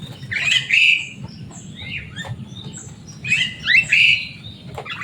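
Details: A loud, boisterous Javan myna, a kept bird that can imitate human speech, gives two bursts of shrill, slurred whistles with squeaky notes, separated by a quieter gap of softer chirps.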